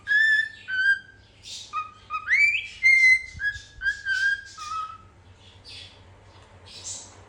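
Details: A pet cockatiel, apparently searching for a companion bird, whistles clear notes, some level and some sliding upward, with brief scratchy chatter between.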